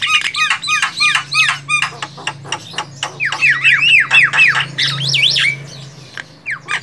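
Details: Javan myna, Acridotheres javanicus, in the wild: rapid series of harsh squawks and clicks mixed with looping whistled notes that rise and fall, several birds calling together, a low steady hum beneath.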